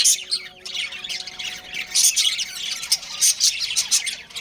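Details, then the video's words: Chattering from a pet breeding pair of budgerigars. Busy, grating high-pitched chirps run almost without pause, with loud squawky bursts clustered in the second half. "Budgies Chirping Sounds"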